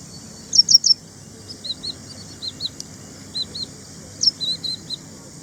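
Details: Ashy prinia, or ashy wren-lark; two short bursts of high, sharp chirps, each followed by softer, slightly lower paired notes, over steady hiss.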